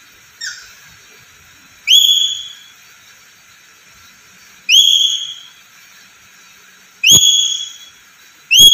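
A black-capped lory gives four shrill, piercing whistled calls, each slightly falling and under a second long, spaced a few seconds apart, with a couple of sharp knocks.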